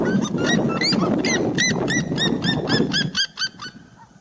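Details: Seriema song, a fast run of loud yelping notes with bright harmonics that slows and fades near the end, with a low rumbling background noise underneath.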